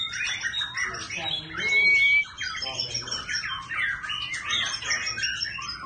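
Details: A kept white-rumped shama sings a rich, restless run of varied whistles, chatters and trills, switching phrase after phrase, with one long clear high whistle midway.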